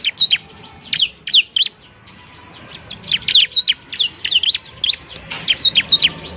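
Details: Bar-winged prinia singing, a recording used to tutor other songbirds: a lively run of high, sharply slurred chirps and arched notes in rapid rhythmic series, pausing briefly before resuming the chatter.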